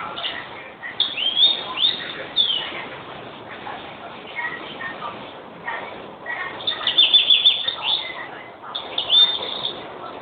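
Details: Greenfinch trills and chirps come in bursts at the start and again later over constant background noise, with a fast, even trill near the end.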